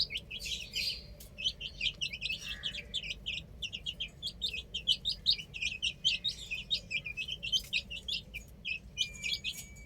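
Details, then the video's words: Several chicks playing on a roof, chirping in a dense stream of short, high, bright peeps that overlap continuously, with a brief lower squawk near the middle and a steady low hum underneath. "Adorable Chicks Chirping Sounds | Amazing Baby Hen Playing On Roof"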